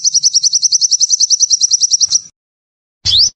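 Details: Sunbird singing energetically, used as training and lure audio: a fast, evenly pulsed high twittering trill of about two seconds stops abruptly. After a short silence comes a single sharp rising whistled note.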